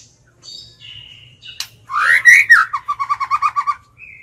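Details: White-rumped shama used as a lure, singing to challenge other birds: soft introductory whistles, a loud rich warbled phrase, then a fast trill of about ten evenly spaced notes and a final thin whistle.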